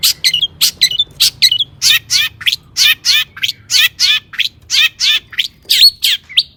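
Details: Long-tailed shrike song with borrowed phrases, intended to stir other shrikes into song; roughly one harsh, rasping sweep per second, each tumbling downward, interspersed with brief high chips, over a faint low murmur.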